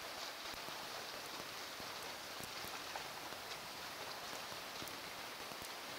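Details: Steady rain patters and drips around an osprey nest at night, with no bird calls.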